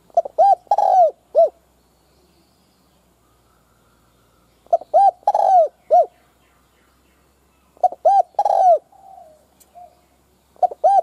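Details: Spotted dove kept as a decoy to lure other doves, cooing steadily. Three complete phrases come every three to five seconds, each with clipped coos, one long rolling note and a brief final coo. A fourth phrase starts at the close.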